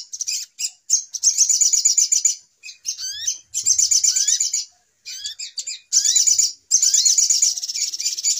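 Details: Little spiderhunter lure call for trapping birds: repeated bursts of rapid, high, buzzy chatter separated by short pauses, with rising whistled notes scattered between the bursts.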